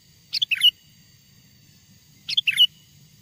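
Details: Two sooty-headed bulbul phrases from a wild bird's lure song, about two seconds apart, each a rapid run of four chirpy whistled notes ending on a clear higher whistle.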